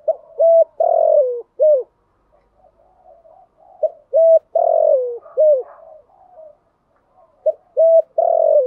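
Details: Female spotted dove calling to excite and attract wild doves: three full phrases of short paired coos, a long rolling coo sliding down and a closing falling note, every few seconds.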